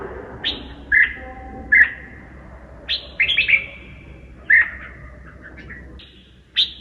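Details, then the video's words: Red-whiskered bulbul with a twisting voice: crisp, downward-sweeping whistled notes spaced a second or so apart, some in quick clusters, over a low hum. "kích bổi giọng cực xoắn"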